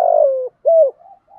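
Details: Spotted dove acting as a decoy to incite wild doves to coo. The tail of a long, low falling coo followed by a single short rounded hoot and faint soft murmurs.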